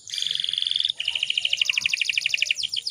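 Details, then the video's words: Canary, said to be a breeding-condition female used to draw males into song; a steady fast rolling trill breaks after a second into a second, slightly slower, beaded trill ending in a few sweeps. "PANCINGAN KENARI BAHAN AGAR CEPAT BUNYI"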